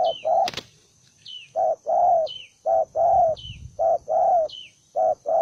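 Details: Spotted dove, one wild-caught bird described as aggressive and combative, giving low hoarse coos in pairs, a short note then a longer drawn one, repeated about once a second; thin descending high chirps from another bird above.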